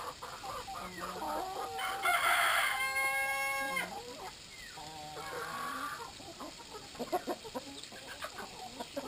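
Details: A flock of Brahma chickens at water time: low clucks, then a strong drawn-out rooster crow lasting nearly two seconds, followed by more clucking and squawks from other hens.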